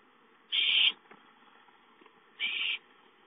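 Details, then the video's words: Owlets at home calling for food, recorded 5-9-13: two harsh, hissing screeches, each about 0.4 seconds long, spaced nearly two seconds apart, with a quiet background. "Owlets have fun playing at home, Chicka calls for food"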